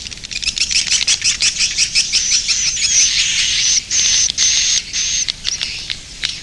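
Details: Roosting call of edible-nest swiftlets: fast high twittering chirps for the first seconds, then drawn-out, thin buzzy trills held for about a second each, separated by short gaps and scattered chirps.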